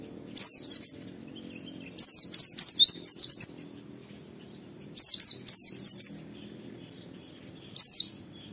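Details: Training recording of an oriental white-eye 'wit wit' used to coax other white-eyes into singing: four bursts of rapid, high, downslurred whistles, each group of two to six notes, separated by short silences.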